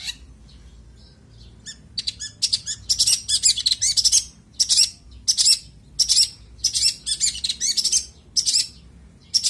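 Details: Energetic long-tailed shrike song in "isian" style: a loud, steady series of harsh, scratchy high notes, several per second, after a quieter start.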